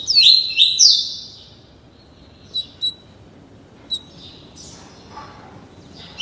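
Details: Tutored young double-collared seedeater, 30 days old, practising the tuí tuí Alcântara song: a quick run of three bright sweeping notes, then widely spaced soft high chips against quiet background.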